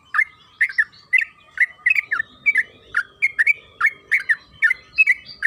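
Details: Yellow-vented bulbul (trucukan kebo) lure recording meant to make the bird sing: bubbly, slurred two-part chirps repeated roughly twice a second in a lively, continuous run, over a faint steady tone.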